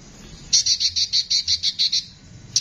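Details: Konin in a harsh-voiced tutor recording for songbirds delivers a fast, even series of about ten sharp, high chirps in under two seconds, then one more note after a pause.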